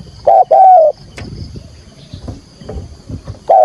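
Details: Decoy spotted dove calling to lure wild birds for trapping, 'thúc gù' field-voice style: a short coo and a longer drawn coo, then near-silence with faint rustles and a high insect hum before another coo starts.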